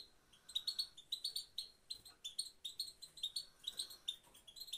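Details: Female European goldfinch repeating its one call, called pit pit: crisp, high, chirpy notes in rapid clusters of two to four, steady and rhythmic through the whole stretch, over a faint room hiss.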